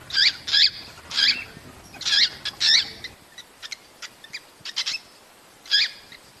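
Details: Cockatiels giving mating calls: five loud, high, scratchy chirps in quick succession, then a pause with softer clicks and one final loud chirp.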